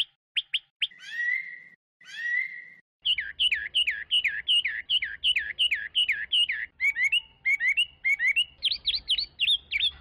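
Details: Varied song of a Chinese hwamei: a few quick high pips, two long buzzy slurred notes, then fast looping whistled phrases that change pattern repeatedly, with a faint low hum behind.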